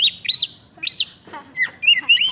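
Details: Lively kacer, the Oriental magpie-robin, pouring out bright whistled phrases that rise and fall, with a rough chattering burst in the middle, then rapid repeated upswept notes.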